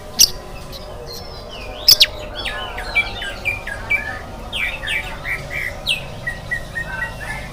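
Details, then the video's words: Oriental magpie-robin in morning song, meant to prompt other birds to sing. A quieter run of varied twisting whistles and warbles follows two sharp clicks, with phrases tumbling steadily against faint background hum. "SUARA KACER GACOR DI PAGI HARI"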